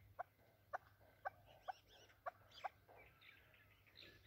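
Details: Chukar partridge, a desi Afghani chakor voice used by hunters: six sharp, loud clucking notes about half a second apart, followed by softer twittering and chirps in the background.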